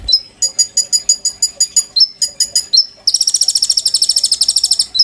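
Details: Oriental magpie-robin in a cage, singing as a tutor for white-rumped shamas: steady series of bright chipping notes, two falling whistles, then a continuous buzzy high rattle for about two seconds.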